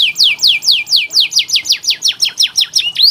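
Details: Canary training song, played as therapy for canaries reluctant to sing: a steady run of loud whistled notes, each sweeping sharply downward, repeated about three times a second, then speeding into shorter, quicker sweeps.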